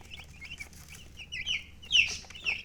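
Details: Brief moment of chicken chirping: soft high peeps building to a few louder, shrill cheeps near the end, over a faint low background rumble.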